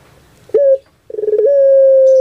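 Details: Kept Barbary dove (puter pelung, Streptopelia risoria) from Java gives a short mellow coo, then a long, steady, drawn-out hollow note held at even pitch until it cuts off.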